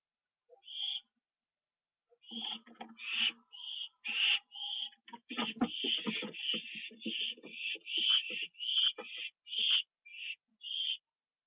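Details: Owl inside its box at 1:52 AM, 25 September 2011, after being given a treat. Rapid run of short raspy hisses, speeding up into a near-continuous chatter, with much clattering and scraping beneath.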